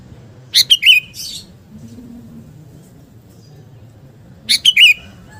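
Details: Gacor kutilang garuda, a sooty-headed bulbul singing to build fighting spirit: a bubbly three-note phrase with a trailing chirp, then a matching phrase after about four quiet seconds.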